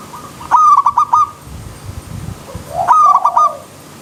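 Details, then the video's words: Wild zebra dove with river stream ambience: two rapid stuttering coo phrases about two and a half seconds apart, the second one blended with a softer, lower cooing note. "Terapi Perkutut Alam Liar"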